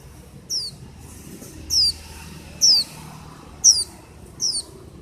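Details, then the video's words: A singing white-eye gives five bright, high, downward-slurred whistles roughly every second, clear above a low, muffled background. "Tiếng chim vành khuyên hót"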